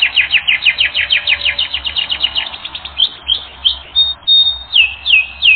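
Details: Canary on a training recording delivering a long sequence of rapid, sharply dropping chirps, about five a second, slowing into louder, spaced swooping notes near the end.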